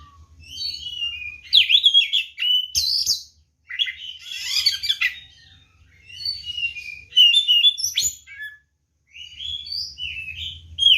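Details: Oriental magpie-robin in full fighting song, used to provoke other magpie-robins into answering: bursts of rich, varied whistles and scratchy chattering notes, separated by short pauses, with a faint low hum underneath.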